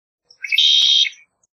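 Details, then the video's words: A Red-winged Blackbird gives one song: two short clear introductory notes, then a long, harsh, buzzy trill lasting about half a second, with a single soft click in the middle. "Red-winged Blackbird Song!"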